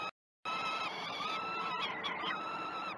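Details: Begging peregrine falcon chicks at feeding time, Great Spirit Bluff nest, 12 June 2018, 06.20, live camera: a long, level, nasal wail sustained for seconds, then slightly wavering and dipping screams, after a brief silent gap.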